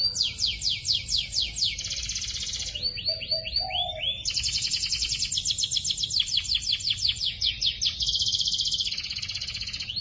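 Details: Young canaries in a training recording, singing loud and varied. Fast repeated downsweeps switch to buzzing rolls and quick looping whistles, each phrase changing pace, over a clean, quiet background.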